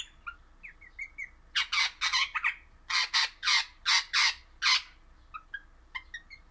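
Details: Happy captive crimson rosella, an orange pennant colour form, singing: a run of about a dozen loud, rasping broadband notes, bracketed by a few soft, thin whistled chirps before and after.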